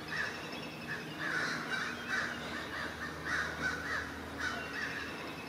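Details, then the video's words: Crows raise a noisy mobbing chorus against an unwelcome great horned owl in the forest; rough caws repeat in uneven clusters throughout, some overlapping as several birds call together. "A great horned owl mobbed by crows"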